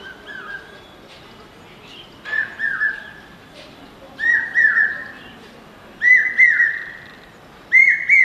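Common hawk-cuckoo gives shrill, whistled three-note phrases, repeated about every two seconds, each note rising slightly. There is a soft hiss of background noise.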